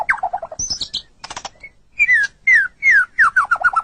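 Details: Captive white-rumped shama singing, a recording used to train songbirds: short falling chattering notes, a gap, then loud clear whistles sweeping downward, repeated about every half second, closing in a rapid descending series.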